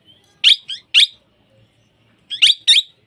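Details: Parrot giving loud, harsh squawks in two bursts, three raspy notes then a pause of over a second and two more, in a quiet indoor setting.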